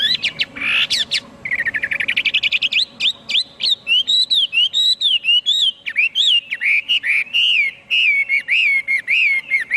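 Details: Rich hwamei song: a harsh opening note, then a rapid rattling run of short notes, followed by a long, varied stream of loud, looping, rising and falling whistles.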